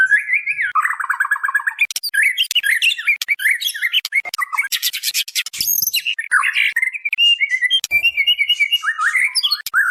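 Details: Female white-rumped shama calling to a male, lure recording: a rapid trill, then dense harsh, squawky and chattering notes that give way to thinner whistled phrases.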